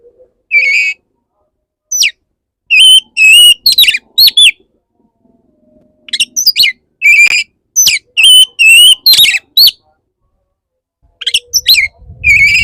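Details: Male Oriental magpie-robin courting a female that is restless, pouring out rich whistled phrases, warbled slurs and rising sweeps in fast runs, with two longer breaks and some low rumble at the end.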